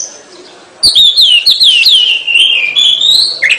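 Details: Kacer (Oriental magpie-robin) in gacor song. After a quiet start, a bright series of looping whistled notes, several per second, runs into a long steady whistle and ends on a lower harsh note.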